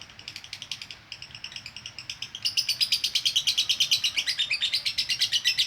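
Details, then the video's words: Konslet chatter of a female lovebird for training: soft, quick chirping for two seconds, then a louder, denser burst of scratchy, buzzing notes continuing to the end. "Masteran Ampuh LOVE BIRD Betina Konslet"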